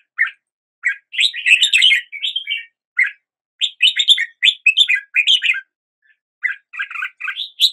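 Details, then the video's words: A Red-whiskered Bulbul sings bright, liquid, warbled phrases of quick chirpy notes in bursts separated by brief pauses, with no other sounds heard. "Red whiskered Bulbul Song"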